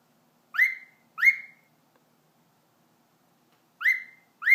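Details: A male pet cockatiel sings clear, rising whistled notes in quick pairs, separated by a short silence.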